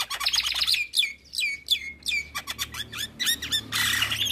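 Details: Vigorously singing Javan myna, provoking the neighbours' mynas: a busy, chattering stream of high chirps with a few clear downslurred whistles repeated near the middle, ending in a rough, noisy squawk.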